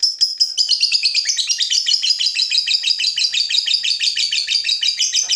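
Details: Long "ngekek" of a fighter lovebird stirred up by a rival: a continuous, rapid, shrill chattering trill, roughly three notes per second, sustained over five seconds without a break.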